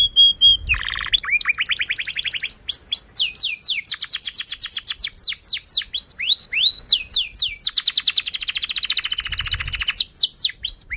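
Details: Canary delivering long, emotional song to coax other canaries and teach young birds: a clear whistle, then nonstop varied phrases of rapid trills, repeated descending sweeps and buzzy rolls, with faint low background hum.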